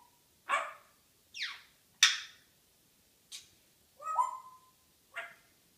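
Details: African grey parrot in its morning banter: six separate calls spaced about a second apart, harsh raspy squawks and a falling buzzy note mixed with one clear whistled tone, in a quiet setting.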